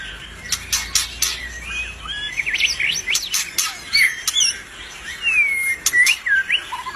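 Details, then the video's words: Albino white-rumped shama singing energetically: rich whistled phrases, rising and falling notes, mixed with sharp clicking ticks and scratchy bursts, with a short clear downslurred whistle near the end. "murai BATU ALBINO udah cantik gacor pula.."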